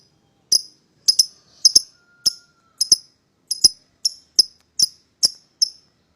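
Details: Pied lovebird pair used to lure a rival into calling: clean, sharp single chirps, some doubled, repeated roughly every half second against silence.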